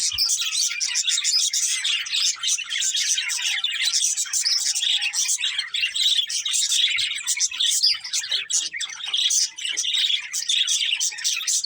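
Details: Many budgies chatter for a long stretch. Rapid, scratchy chirps and squeaky whistles run together in an unbroken wall of sound.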